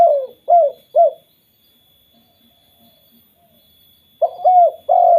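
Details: Spotted dove calling as a lure to set other spotted doves calling: low, mellow coos in a quick run of three, then a silent gap before another burst of rich coos.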